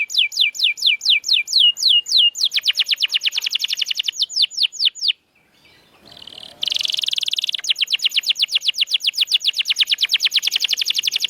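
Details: Canary song played to get silent canaries singing: repeated downslurred notes speeding into a rapid trill, a short gap with faint low noise, then a buzzy burst and a long fast rolling trill.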